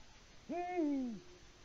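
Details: On a Latvian live camera on 6 March 2019, 6:06 PM, a male Eurasian eagle-owl calls for a mate that does not answer; one low, drawn-out hoot that swells briefly and then sinks in pitch, with near silence around it.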